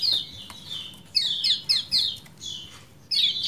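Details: Kecial kuning, or common iora, singing the "ciak jos" style. Loud, clear downslurred whistles fall in short phrases, with a few longer level whistles between them. A steady hiss and low rumble run underneath.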